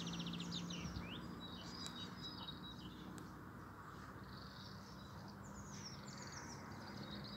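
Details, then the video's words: European robin song recorded 13 April 2020: high, sweet phrases of fast trills, down-slurred whistles and thin warbles, repeated in bursts with short pauses, set against a constant low hum. "kein Sonnenuntergang aber zwar dafür ein schöner Rotkehlchen aufgenommen!🐦🎶"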